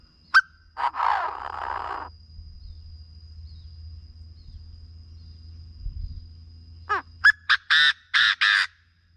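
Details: Chinese francolin calling, a recording played to rouse birds for decoy trapping: an opening harsh burst, a low rumble-filled pause, then a falling sweep and a rapid series of loud, rasping notes.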